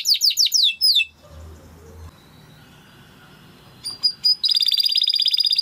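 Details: Timbrado canary singing in a recording for canary training: a run of quick descending chirps, a long quiet pause, then a couple of sharp notes leading into a fast, steady high trill.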